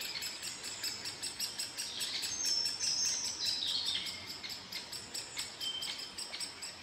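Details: Young great spotted woodpeckers being fed by a parent give a shrill, hissing begging chatter in pulsing bursts, about two or three a second, with a few thin whistles from other birds.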